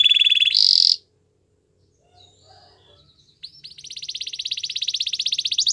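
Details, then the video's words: Canary singing for training: a bright high roll and buzzy note, about two seconds of near silence with faint chips, then a long pulsed trill that grows louder toward the end. "Your belgian canary will sing a lot"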